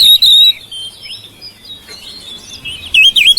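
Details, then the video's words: Domestic oriental magpie-robin song as a lure for mute birds: a loud clear whistle opening, softer warbled notes, then a rapid loud chattering burst at the end. "KICAUAN KACER RUMAHAN MEMANCING SUARA KACER YANG BISU MACET"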